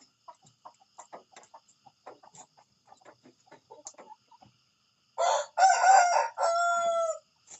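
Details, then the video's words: Rooster in the morning: a loud, harsh crow of about two seconds, broken into three parts, the last a long level note, after several seconds of soft scattered clucks and pecking sounds. "the sound of a rooster in the morning"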